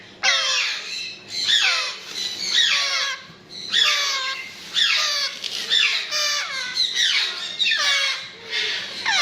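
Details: Grey parrot chicks calling: harsh, raspy, descending squawks with rich overtones, repeated roughly once a second in uneven bursts, several overlapping at times; no other clear sounds.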